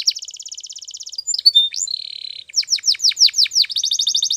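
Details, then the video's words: Morning training song of a Spanish Timbrado canary: a fast even trill, brief whistled notes, a buzzy roll, then a series of sweeping downslurred notes ending in another rapid trill. "The Best Canary Training Song In The Morning !! Make Your Canary Singing Again"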